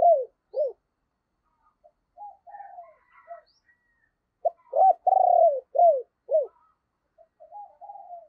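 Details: Deep-voiced 'sấm bầu' spotted dove calling as a decoy for wild birds: falling coos, soft mid phrase with faint chirps, then a loud phrase of sharp notes, long vibrating coo and two falling notes, soft coos after.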